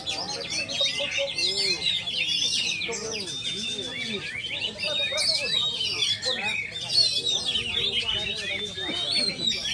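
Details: Caged oriental magpie-robin (kacer sultan) pouring out rapid, varied high whistles and chattering trills without pause, with lower arched notes and constant background noise beneath.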